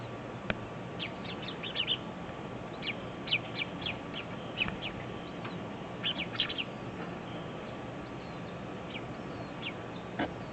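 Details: Black bulbul chicks at the nest, recorded at close range while being raised, beg with thin, high chirps in quick clusters, a burst every two seconds or so, over a steady background hiss.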